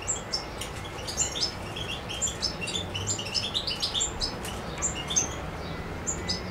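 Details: Carduelis carduelis, the European goldfinch, singing in Macedonia on 7 July 2011; a continuous fast jumble of high liquid twitters and chips, fairly quiet, over a faint background hiss.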